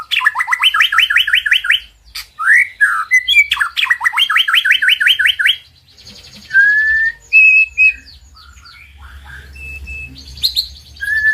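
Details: Master song of a White-rumped shama used to excite silent birds: fast repeated whistled trills of falling notes for six seconds, then sparser varied whistles, clear held notes and high chattering phrases over quiet background.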